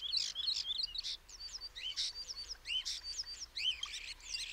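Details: Common starling calling: a dense run of sharp clicks, chirps and short whistled notes, some rising and some falling, repeated in quick bursts over faint background noise.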